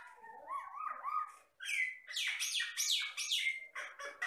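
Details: Jalak Batam myna singing energetically: wavering whistled notes slide up and down, then a run of loud, sharp rising and falling whistles with harsh edges, several phrases in quick succession.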